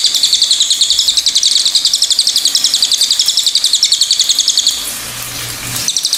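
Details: Steady high-pitched chattering from a pied fantail, a tutoring recording for cage birds: squeaky notes repeated about three to four times a second, then a short noisy break and the notes start again.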